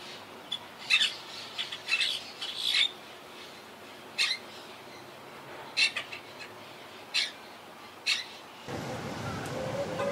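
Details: Wild Quaker parakeets calling from a tree colony that lost about half its birds to hurricane Irma in 2017; short harsh squawks in clusters, then scattered single screeches, ending in a burst of broadband noise.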